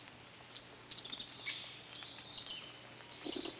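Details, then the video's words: Green-backed flowerpecker: short piercing high calls in separate bursts roughly every half second to second, some with a falling whistled tail. "Green-backed Flowerpecker 紅胸啄花"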